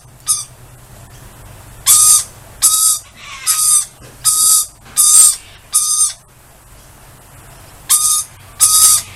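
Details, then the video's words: Outdoor lorikeets saying hello to a person they know: loud, raspy, high-pitched squawks, each about half a second, coming in an uneven series of eight with a gap near the end. "Lorikeets Saying Hi"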